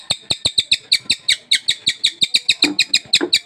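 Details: Captive sultan tit, only recently acquired, delivers an unbroken string of about eighteen crisp, high chip notes in three and a half seconds, evenly paced, with soft background chatter.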